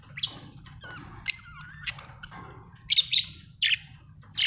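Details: Australian budgie parrots chirp and chatter: quick sharp clicks and whistled slurs, then louder buzzy chirps in a run toward the end, over a low background hum.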